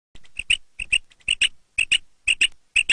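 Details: Quail calling: sharp, liquid clicked notes in quick pairs and triplets, repeated about every half second in a clean recording with no other sounds.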